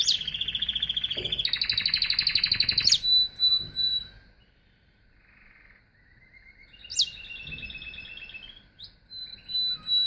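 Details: Canary song with fast buzzy trills and high pure whistles, a quiet pause midway, then a fresh rolling trill and clear tones.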